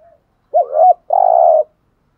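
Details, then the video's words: Spotted dove 'thúc gù' coo used to lure wild doves: a wobbling double hoot rising and falling, then a long even buzzy coo, deep and mellow. "tieng chim cu gáy thúc gù bài bản/ bổi nghe gáy liền"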